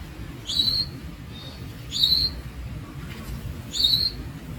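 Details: Young Javan Munia (Lonchura leucogastroides) calling with three sharp, high, rising notes roughly every one and a half seconds, a faint softer note between, over low rumble.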